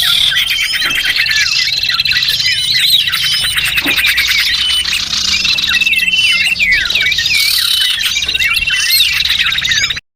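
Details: Ten seconds of constant high chatter from small birds, played as a lure to attract small birds, mixing rapid trills, looping whistled notes and sharp chirps.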